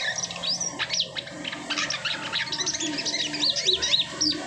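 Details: Asian pied starling song after the moult: rapid chattering notes and short whistles pour out continuously, ending in a series of bright, sharply bent whistled notes.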